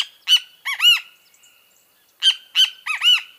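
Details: Two crisp phrases from a great kiskadee, each a sharp opening note followed by a doubled, loud arched note, with a quiet second-long pause between them.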